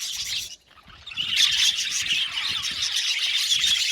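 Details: Budgerigar colony in an aviary: chattering starts, drops to near silence for half a second, then swells back into loud, continuous high chirping and twittering.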